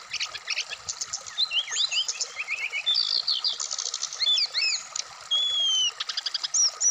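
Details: Brown-chested jungle flycatcher kept for song and set out at dewfall, pouring out rapid trills, twisting whistles and buzzy rattles, with two long pure whistled notes near the end, over a constant hum.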